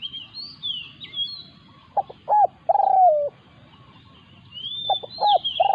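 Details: Spotted dove decoy meeting a territorial wild dove, Thailand. Two short notes, then a long falling coo. The short paired notes begin again near the end. Sweeping high whistles from other birds are heard.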